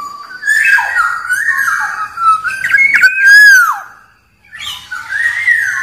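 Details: Black-naped oriole calling in a near-continuous stream of mellow whistles that rise and fall, ending in a loud slurred downward note, then a brief pause and another softer whistled phrase.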